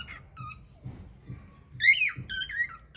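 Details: Cockatiel singing indoors in a small room, caught on a hidden camera: soft squeaky notes early, then a louder whistled phrase of rising and falling slurred notes with a few sharp squeaks near the end, over a low background rumble.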